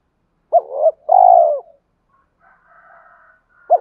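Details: Spotted dove coo used as a lure to provoke fighting and summon a mate for a reluctant captive bird: one deep two-part phrase, then a quiet distant tone and the start of another coo.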